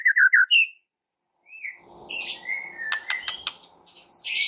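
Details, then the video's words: White-rumped shama song used to provoke other shamas into singing: a few quick whistled notes near the start, then after a pause a scattered run of sharp clicks, buzzes and high chips. "PANCINGAN Murai Batu Sangat EFEKTIF untuk Murai Batu kurang GACOR jadi NGAMUK"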